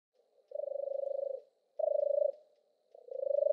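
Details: European turtle dove song: three deep, rolling purred notes, each about a second or less, with pauses between them; a clean recording with no other sounds.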